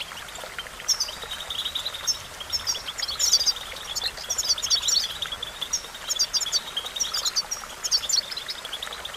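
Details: European goldfinch singing for song training: repeated bursts of sharp, tinkling, high twitters in groups of three to five notes, steady and lively, with a continuous rushing hiss behind.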